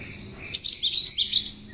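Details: Cinereous tit song with bar-winged prinia notes mixed in, used as tutor material for other songbirds: a quick burst of high, sharp chirped notes, about six clipped accents in under a second, over soft background chatter.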